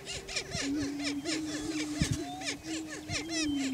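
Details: Greater prairie chickens displaying for breeding territory on a lek in Washington County, Kansas: a low, steady moaning hoot runs throughout, overlaid by rapid, repeated arching cackles and whoops from several birds.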